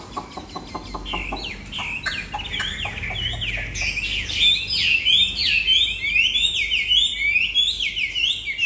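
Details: Old wild-caught Chinese Hwamei, very tame and caged, singing with someone sitting beside it. Quick clicking taps give way to a dense, energetic outpouring of high, varied whistles and trills.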